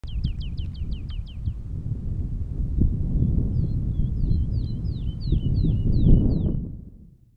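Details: A woodlark in courtship song, recorded 19 February 2024 at Kalmthout, sings two quick runs of sweet, falling whistled notes, about eight per second, over a steady low rumble of wind.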